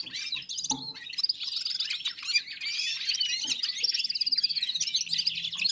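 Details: Red-fronted serins and other small birds singing together: a steady, dense chorus of bright, buzzy twittering and quick trills, with occasional lower clicks under the high song.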